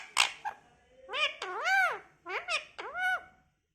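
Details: Indoor talking parrot producing a sharp click, then a series of arching, nasal speech-like syllables in two bursts, each swooping up and down, with short gaps between.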